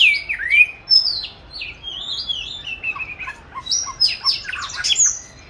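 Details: Oriental magpie-robin kept caged since 29 July 2020 and recorded 22 March 2021 during song training. Descending whistled slurs are followed by a quieter stretch of soft notes, then a burst of high, dense, rapid phrases.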